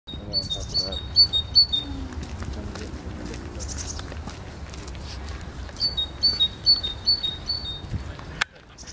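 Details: Great tit singing: bright two-note phrases, a high note dropping to a lower one, repeated rapidly in two bursts separated by a pause, with a man's voice murmuring faintly underneath and low background rumble.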